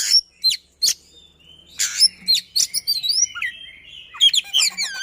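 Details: Caged white-rumped shama of the style called Sisinga, singing fast, dense phrases: sharp high whistles, rapid descending sweeps and rolling trills, with brief gaps between bursts.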